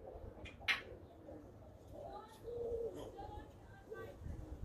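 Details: African grey parrot talking, recorded 20 June 2020: a sharp high whistle-like note near the start, then soft, speech-like babbling with a brief level whistled tone in the middle, over low background rumble.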